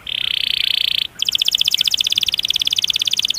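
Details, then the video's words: Canary roll used to train or stimulate other canaries: a dense buzzy trill lasting about a second, a short pause, then a long run of rapid, evenly repeated pulsed notes. "Masteran Suara Burung Kenari Ngerol Panjang Cuit Cuit emosi"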